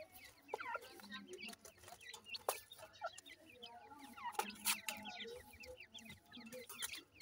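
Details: Young grey francolins in Punjab, Pakistan, uttering many thin, high chirps that slide downward, closely packed and overlapping, over sharp clicks and a low background hum.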